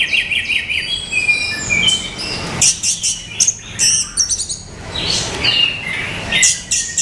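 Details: Orange-headed thrush male singing a lively medley: repeated wavering whistles at the start, then quick high chirps and slurred notes in rapid succession, continuous and varied.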